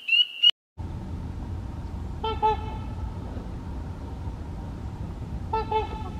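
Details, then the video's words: Trumpeter swans in November 2024 give two brief, nasal, horn-like honks a few seconds apart, with a short high squeal at the start, over a steady low rumble of wind. "Trumpeter Swans"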